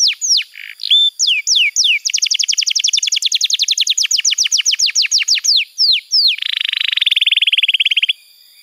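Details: Canary song used as a master recording to teach young canaries and lure quiet ones into singing. A few swooping slurs lead into a long, fast run of descending notes, more swoops, then a dense low buzzy trill.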